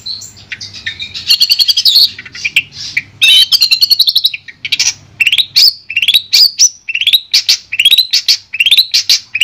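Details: Long-tailed shrike from Madura in clear master song: loud mixed chatter and buzzy rattles, then a repeated series of sharp upward-sweeping whistled notes at about one per second.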